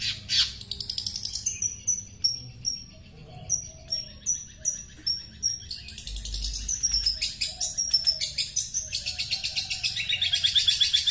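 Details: Long-tailed shrike from Sepudi Island (Podhei) singing a fast, varied medley: runs of high, sharply falling chirps, then dense, scratchy chattering with shrill whistled notes, nearly three per second.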